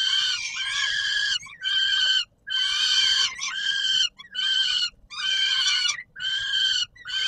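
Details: Feeding time for peregrine falcons on the Palace of Culture and Science, Warsaw, 17 July 2022: a run of strident, buzzy screams, each around a second long, separated by short breaks.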